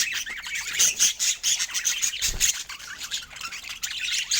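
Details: Budgerigars kept as pets give rapid, busy chatter of buzzy squawks and thin high chirps, pulsing in short bursts, with a soft low thump midway.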